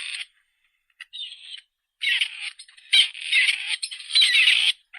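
Grey Partridge giving harsh, grating, rusty calls in uneven bursts, several run together into a scratchy chatter, with a thin high whine behind.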